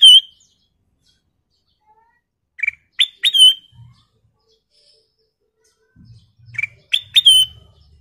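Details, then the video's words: Kutilang emas, a golden-coloured bulbul, singing vigorously, recorded as lure and training material for songbirds: short bright whistled phrases, some sliding up then falling, in two bursts a few seconds apart, with faint low rumbling between. "Suara Paling Cakap Burung Kutilang Emas full isian"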